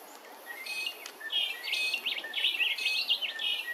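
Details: Red-browed finches at Hervey Bay, Queensland: a rapid run of thin, high chirps and short wavering whistles. The notes come in quick succession, some rising and some falling, over faint background hiss.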